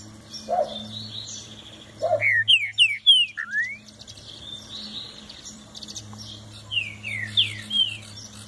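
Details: Green-winged saltator delivering a burst of sharp downslurred whistles followed by a rising note, with faint chirping from other birds and a low hum behind.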